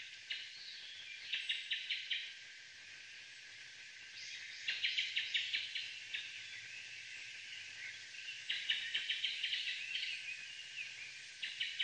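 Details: Japanese thrush (Kuro-tsugumi), bird unseen, singing loud, fast phrases of repeated clear high notes in bursts of about a second with short pauses, over steady insect-like hiss; recorded May 2022 while filming a Narcissus flycatcher.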